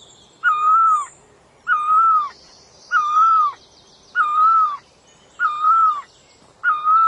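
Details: Puj daum, the bird named นกตองล่อ, gives a steady series of six whistled calls, each a smooth wavering note that sags at the end, evenly repeated about every 1.2 seconds over soft high chirping.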